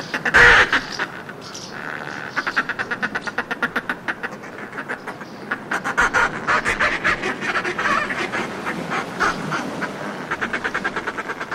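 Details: Northern fulmars in groups displaying on cliff ledges, heard close: one sharp loud note, then long, rhythmic runs of fast cackling pulses that swell and fade, with a faint sea wash behind.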